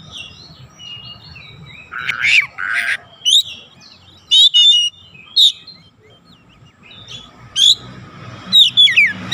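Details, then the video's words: Oriental magpie-robin song used as a lure to make other birds sing. Scattered short phrases mixing rasping bursts and clear high whistles, with pauses between them and faint low background hum. "PANCINGAN KACER LEBIH CEPAT REAKSI GACOR BONGKAR ISIAN"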